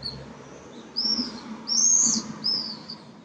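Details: Common swifts with pallid swifts, giving thin, high screaming calls in separate bursts of about half a second, drawn-out and slightly wavering, over a soft low background hum.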